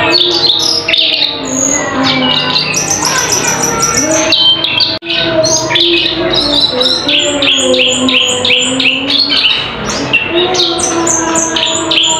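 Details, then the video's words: Cucak keling, a bird able to mimic songbirds such as cililin, tengkek buto, lovebird and canary, pours out a loud, varied, sharp song of chirps, trills and high whistles, with a brief gap near the middle and a low hum behind. "Suara asli burung cucak Keling teryata sangat pedas"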